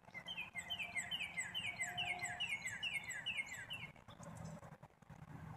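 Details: Black-capped chickadee delivering a long, even string of harsh, descending notes for about four seconds over a low background hum.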